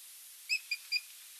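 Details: Osprey at a nest, 8 June 2023, one adult visiting and calling to a sleepy nestmate: three short, clear whistled chirps spaced about a quarter-second apart at a high, steady pitch over a faint background hiss.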